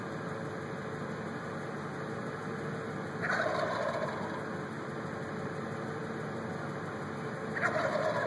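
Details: Five turkeys gobbling at once: two loud, rattling gobble bursts about four seconds apart, each a dense burst of rapid notes, over a steady mechanical hum.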